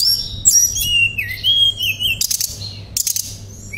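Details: Tledekan pring shortwing in gacor therapy song featuring nembak and ngerol: high sliding whistles lead into a long wavering mid-pitched whistle, then brief bursts of rapid ticking notes.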